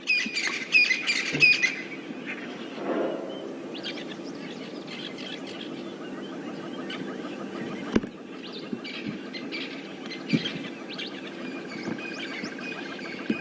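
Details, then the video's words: Francolins call loudly off to the left on a morning safari drive: harsh, grating calls repeated in rapid bursts, loud and scratchy against a low engine hum and soft background chatter. "Some francolin calling loudly off to our left."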